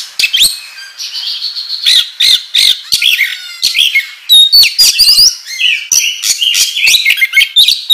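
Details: Kacer, or oriental magpie-robin, in full gacor ngobra song meant to provoke other birds: a dense, varied stream of whistles, rasping bursts, chattering trills and quick pitch-sliding phrases with almost no pauses.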